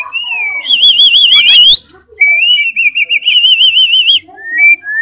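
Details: White-rumped shama singing with loud 'tembakan' fill: two sustained warbling trills that waver rapidly up and down, joined by a hissing noise, plus short whistled notes between them.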